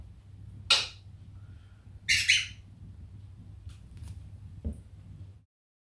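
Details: A 13-year-old male cockatiel, blind in both eyes since September 2021, calls in response to its owner's voice while walking toward him indoors (10 January 2022), giving two loud, harsh screeches, the second longer and double-noted, with soft clicks.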